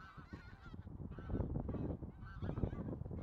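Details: A flock of bean geese calling together, overlapping nasal honks rising and falling in a dense, continuous chorus, with low rumbling noise underneath.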